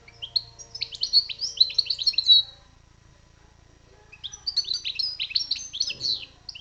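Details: Goldfinch singing two bursts of rapid liquid twitters and chirps, high and jumbled, separated by about two seconds of near silence, over a faint low hum.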